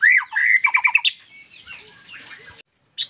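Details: White-rumped shama giving a brief, loud, squeaky phrase of quick chattering notes, followed by softer scratchy sounds and a short final chirp.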